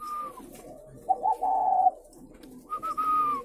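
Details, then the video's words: Spotted doves kept at a bird-rearing farm in Ba Vì, Vietnam, giving soft, hollow coos: a falling note, then a fuller two-part coo, then a higher sliding note, with faint background doves cooing. "Thêm 1 cơ sỏ nuôi chim cu gáy hay"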